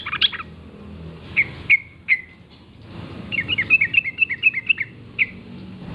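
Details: Wild sooty-headed bulbul singing in the morning, gacor ngalas style. A few separate downslurred notes are followed by a quick run of bright chirps and one final note.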